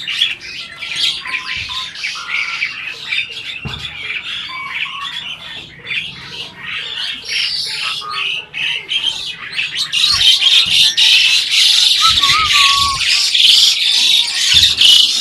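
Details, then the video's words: Adult breeding Asian pied starling that seems to try to talk: a dense stream of harsh, scratchy squawks and chattering notes, with a short clear whistle late on, growing louder toward the end. "burung jalak ini malah ngajak ngomong"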